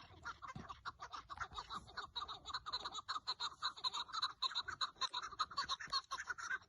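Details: Decoy partridge hunt on 30 March 2024, Turkey: a steady stream of rapid, sharp, repeated clucking calls from a partridge, pulsing on without pause.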